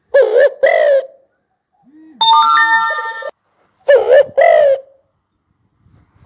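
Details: Spotted dove coos in two-note pairs, hoarse and mellow, with a short electronic chime melody, like a ringtone, sounding between the two bird phrases.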